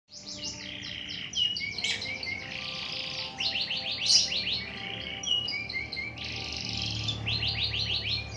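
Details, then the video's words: Canary singing continuously in the Indonesian 'gacor' style: fast trilled tours of repeated high chirps, switching between sharp buzzy rolls and sweeping whistled notes, with brief pauses between phrases and a faint low background hum. "Burung Kenari Gacor"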